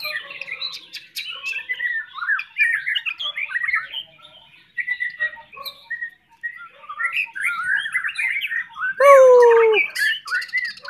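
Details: Spanish canary song: a rapid jumble of short warbled and trilled notes, broken by brief pauses, then a loud, drawn-out descending whistle near the end before the twittering resumes.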